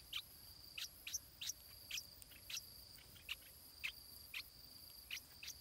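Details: Nest-bound stripe-throated bulbul chick being fed, giving about a dozen sharp, high, slightly rising peeps at a quick uneven pace, set against an unbroken shrill insect tone.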